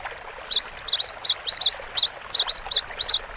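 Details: Cinereous tit in lively, full song: a fast run of high, sharp two-note phrases, a rising slur followed by a dipping note, repeated about eight times over three seconds against a soft hiss.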